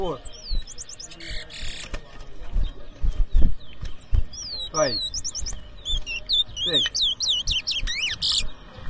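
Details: Towa towa (chestnut-bellied seed finch) at a bird whistling competition in New Amsterdam, Berbice, Guyana, 2023. High whistled notes, repeated rapid chirps and buzzy bursts. Loud men's voices and crowd talk underneath.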